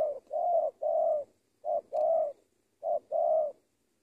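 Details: Spotted dove lure bird delivering soft, rounded coos in groups: a brief note leading into a longer warbling one, three groups with short gaps, otherwise still.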